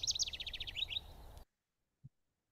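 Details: A House Wren, a nest-box breeder, sings its complex song: a quick, bubbling burst of about a dozen bright, chattering notes lasting under two seconds over a low rumble of background noise.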